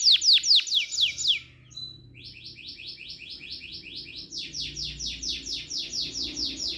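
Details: Singing canary: a few loud, steep downward chips, a brief pause, then steady repeated trilled phrases of rapid high notes.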